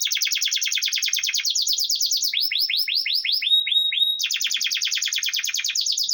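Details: Canary of the copper variety, Nevşehir in Cappadocia, Turkey, singing rapid chopped trills, then slower swooping notes and drawn whistles before returning to a fast high rattle.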